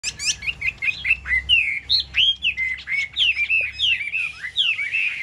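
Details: Caged Chinese hwamei singing a rich, fast run of loud whistled phrases, each note sliding up or down, with quick notes tumbling one after another and almost no pause; faint low hum underneath.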